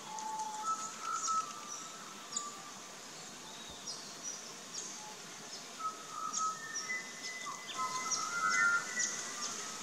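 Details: Pied butcherbird in an Australian backyard garden sings clear, fluting whistled notes, some level and some sliding, over high chirping from other birds and a steady background hiss.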